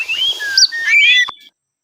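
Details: White-rumped shama giving a brief loud song phrase of clear drawn-out whistles, one level, one sliding down, then a bright rising slur, ending abruptly.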